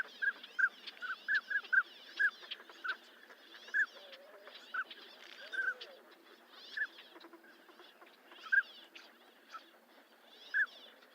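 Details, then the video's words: Northern Pintail giving short, fluty mid-pitched notes, quickly at first, then spaced every second or two, over a soft wash of background noise. "SOUND OF A NORTHERN PINTAIL 🔊 What does a northern pintail sound"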